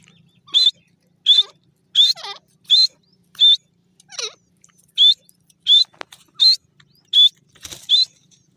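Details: Grey francolin (teetar) calling in forest: loud, shrill, high notes repeated steadily about every three-quarters of a second, a dozen in all, with fainter downward-sliding squeals in between and a quiet background.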